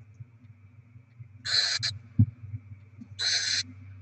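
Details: Barn owls on 7 February 2024, bringing rodents and feeding the young; two rasping hiss-screeches, the first briefly broken, with a single sharp low thud between them in a quiet nest.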